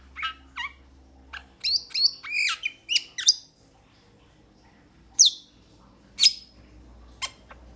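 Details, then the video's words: Metallic starling calling in quick bursts of clipped, squawky chirps and downslurred whistles, a dense run in the first half and then a few isolated sharp notes after a short pause. "Metallic Starling Aplonis Sounds ! Metallic Starling Aplonis Song Metallic Starling Aplonis Call !"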